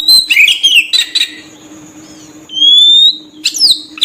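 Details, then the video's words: Lure song of the oriental magpie-robin for drawing in birds: a burst of harsh, scratchy warbling, a quiet gap, then one long bright whistle rising slowly before a final rough note; soft hum beneath. "suara burung Kacer...kicau pikat terbaik...||suara pikat Kacer ||pancingan kacer"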